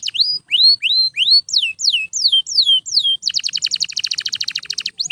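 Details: Canary singing nonstop, meant to train other birds: loud upward and downward slurred whistles repeated steadily for three seconds, then a dense buzzy trill of very rapid notes, ending with one more slur.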